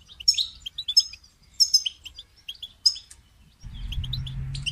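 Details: Goldfinch call-song aimed at getting a caged goldfinch to sing: crisp repeated twitters and rising whistles at a steady pace, followed near the end by a steady low hum of background noise.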